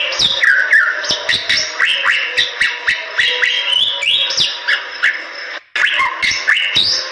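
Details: Indonesian endemic Bali myna from western Bali forests singing vigorously, a fast run of chattering, slurred whistles and clicks in rapid succession, with a brief abrupt break near the end before the song resumes.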